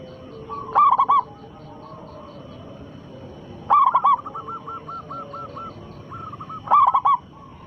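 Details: Lure song of a local zebra dove, meant to make other doves answer: three loud rolling coo bursts about three seconds apart, with a softer dove's repeated coos between them.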